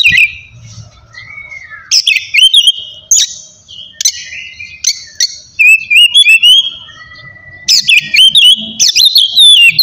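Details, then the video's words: Ngeplong-style kacer song from an oriental magpie-robin, meant to rile opponents and stir silent birds: long clear whistled notes alternate with sudden buzzy, scratchy bursts every second or two, and a soft low rumble sits in the background. "kacer ngeplong gacor bikin emosi lawan cocok buat mancing kacer malas bunyi"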